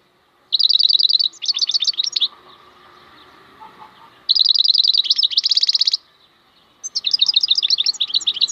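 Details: Wild European goldfinch repeating quick high trilled phrases mixed with buzzy, tinkling twitters, three bursts over the recording with faint low background hum between them.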